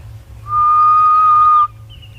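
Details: Grey-headed Bushshrike on a September 5 afternoon safari drive in Africa gives one long, steady, hollow whistle of about a second, an eerie, echoing call behind its Afrikaans name meaning ghost bird, followed by a faint higher note.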